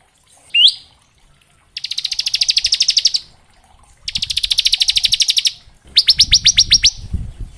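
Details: Bar-winged prinia singing varied ngebren-style song, a training recording for young and juvenile prinias: a rising whistle, then three rapid buzzy trills of about a second each, the last slower and more spaced.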